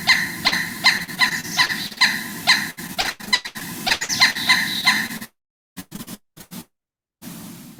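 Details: A Pileated Woodpecker gives loud, ringing notes about twice a second, the call often heard echoing through forest. Then come sharp knocks, its drumming deeper than smaller woodpeckers', with brief quiet gaps.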